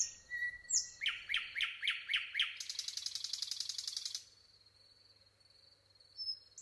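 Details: Nightingale singing: six repeated, descending, slurred whistled notes, then a fast, dry, buzzy trill of rapid notes lasting over a second. The song breaks off into quiet with a thin, steady, high tone in the background.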